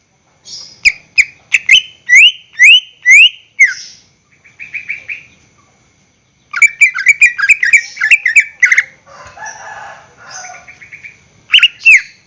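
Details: A greater green leafbird gives a long, varied song used to lure other caged birds into singing. Bursts of rising whistled slurs and sharp chips are broken by short buzzy trills and brief pauses.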